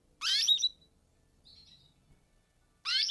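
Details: Wild Atlantic canary, a finch native to the Canary Islands, Azores and Madeira, singing high twittering bursts of rapid trilled notes, with a faint softer phrase between two loud ones in a quiet setting.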